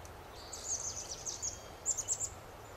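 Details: A Chestnut-backed chickadee, ruffling its feathers, spreading its tail and preening in the sun, gives thin, very high chips in two quick bursts, each of a few notes, over soft background hiss.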